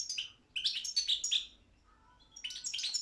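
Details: Song-contest Balkan goldfinch, Carduelis carduelis balcanica, from a Serbian championship: a brief twittering phrase with tinkling, descending notes, a pause of nearly a second, then a further burst of rapid chirps.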